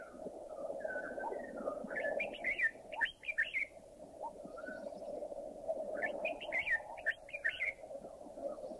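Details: Red-whiskered Bulbul recorded in a Thai national park (Khao Yai, Doi Intanon, Doi Suthep-Pui or Chae Son): two bursts of bright, bubbly, warbled phrases a few seconds apart over a steady low background drone.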